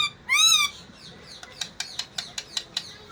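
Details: Pet parrot gives one loud, harsh, ringing squawk, then a series of short sharp clicks about five a second.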